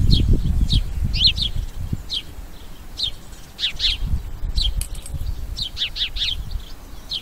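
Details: Rapid, irregular cheeping from a house sparrow: bright, clipped chirps scattered through the recording, sometimes in quick pairs or triplets, with heavy low-pitched rumble and background noise throughout.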